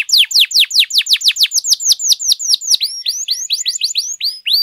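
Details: Canary song meant to excite other canaries: a fast, even string of loud downward-swooping whistles, about four per second, then a softer run of quick upturned chirps.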